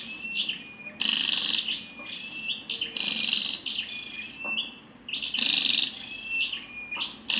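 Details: Female scarlet-backed flowerpecker calling: bursts of dense, high buzzy chatter alternating with thin sustained whistles and short sharp notes, repeated several times.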